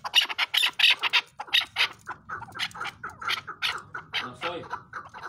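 A chukar gives harsh, rapid clucking chuk notes, about four a second in uneven runs, over a faint low hum.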